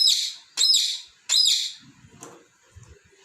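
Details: Captive pet parrot playing with balls and scolding them; three strident high chirps less than a second apart, then quiet with faint low rustling.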